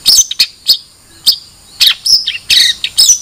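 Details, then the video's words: Long-tailed shrike giving scattered sharp, high chirps and squeaky notes, ending in harsher, buzzy bursts with short gaps between. "Suara Burung Cendet"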